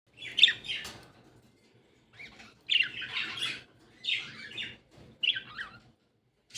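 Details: A breeding pair of budgerigars give bright, scratchy chattering bursts, each about half a second long, repeated every second or so; eggs are expected soon.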